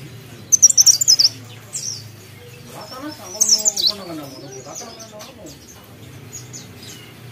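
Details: Two brief bursts of shrill, rapid twittering from a mountain leaf warbler. Softer, lower warbling notes fill the gap between them.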